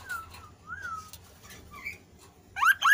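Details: Kasu kasu bird singing constantly, used as a lure to prompt lazy kasu kasu birds to sing: soft falling whistled notes and a rising-falling whistle, then loud, sharply rising whistled notes in quick succession at the end.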